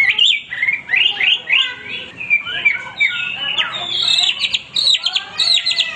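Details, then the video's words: Hwamei song of quick, slurred whistled notes that slide downward, then a burst of high, sharp chirps and rapid ticking notes. "wambi gacor berkicau tanpa henti"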